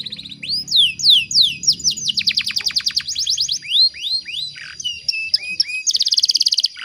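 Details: Canary hen in breeding condition, luring a male and prompting birds to sing: looping whistled upslurs give way to a dense fast trill, then scattered slurred chirps and a closing buzzy rattle.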